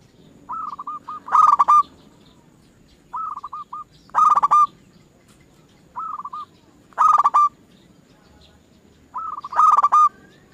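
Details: Zebra dove cooing, played to lure other zebra doves into singing: four soft, mellow phrases, each a short cooed note followed by a rolling trilled coo, repeating about every three seconds over quiet background.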